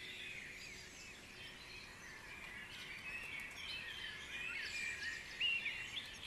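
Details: Continuous high twittering from many birds at dawn in Guisborough, fairly even throughout, with one sharper whistled note rising clearly above the rest late on.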